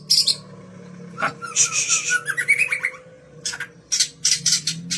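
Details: Captive-bred Kaur white-rumped shama whose song serves to lure other birds: scratchy high bursts, a rising series of whistled notes, then more rasping chatter in quick clusters, recorded indoors.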